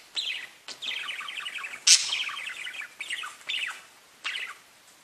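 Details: Parakeets chirping and talking to each other, a sign of contentment: rapid warbled chatter of short rising and falling chirps, broken by brief pauses and one sharp bright squeak, in a quiet setting.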